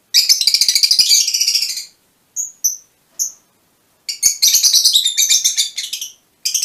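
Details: Long rasping chatter from mutation Fischer's lovebirds, pulsing rapidly for nearly two seconds, then three thin high whistles, then another extended shrill chattering run and a final short burst.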